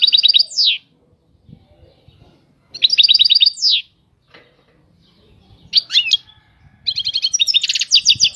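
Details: European goldfinch delivering short bursts of song, each a quick tinkling trill ending in a down-slurred whistle, spaced by pauses of about two seconds, with soft low background thuds.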